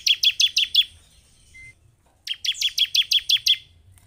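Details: High, rapid chirping series from a bar-winged prinia, a lure to get caged birds singing fast; a short run of five notes, a pause, then a longer run of about eight evenly spaced notes.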